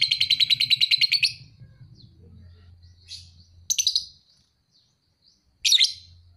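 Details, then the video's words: Two-and-a-half-month-old lovebird with fighter-style singing. The clip opens on a rapid, even, buzzy trill lasting over a second, then falls quiet apart from two later harsh chirp bursts, with a low background hum. "Lovebird paud 2,5bulan Fighter abiz!"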